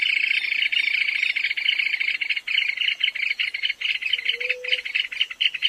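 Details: Small shy rail from South America's drier habitats, sexes alike, producing a high continuous tinkling trill that breaks into choppier stuttered pulses after the midpoint.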